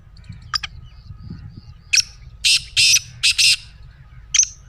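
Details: Black francolin, played to urge a silent pet bird to call: a sharp high note, then a phrase of four loud, scratchy, grating bursts and another clipped note, with quiet low hum beneath.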